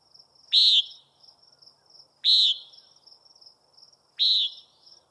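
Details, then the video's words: Three rasping, nasal calls from a common nighthawk, spaced about every one and a half to two seconds, each short and buzzy. A continuous high insect trill sits behind them. "Common Nighthawk Calling"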